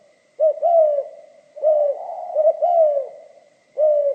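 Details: Low, rounded cooing of a spotted dove singing giọng pha kim, with short broken notes running into longer downward-gliding coos, roughly four phrases spaced a second or so apart.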